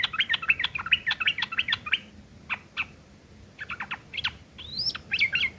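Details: Sooty-headed bulbul rough chattering, called ngeriwik kasar, used as tutor material for long-tailed shrikes: a rapid run of bright chirps, a short lull with isolated notes, then harsh clicks and a long rising-falling whistle.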